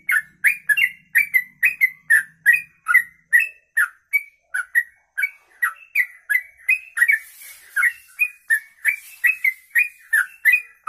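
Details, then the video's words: Sooty-headed bulbul singing a long rapid kongslet-style song: fluty, slurred notes rising and falling, delivered almost without pause at about three per second, with sharp high clicks between phrases and a faint low hum early on. "Trucuk Kongslet Ropelan Panjang"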